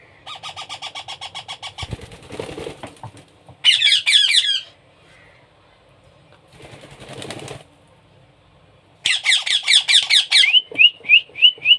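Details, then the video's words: Baby parrot during hand-feeding: fast series of soft buzzy calls, bursts of wing flapping and rustling, loud harsh squawks, and closing short upslurred chirps. "#baby #parrot #hand #feeding"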